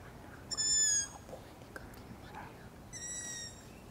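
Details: Long-eared owl owlets at night giving two drawn-out, high, squeaky wheezing calls about two and a half seconds apart, each roughly half a second long, with quiet rustling between.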